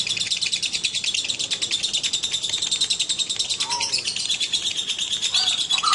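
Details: A male and female lovebird together keep up a high, buzzy twitter of rapid chirps, broken by a few louder squeaky calls near the end.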